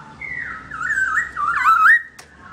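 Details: Black-throated laughingthrush (Garrulax chinensis), a kept bird singing while its owner is away, giving a melodious whistled warble that rises and falls, ending in a louder looping phrase and a sharp click, in a quiet room.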